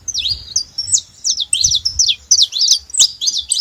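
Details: At a feeder, saffron finch noise in quick succession: high whistled notes with short hooks and dips, grouped in brief phrases about three per second, clear above a quiet low rumble.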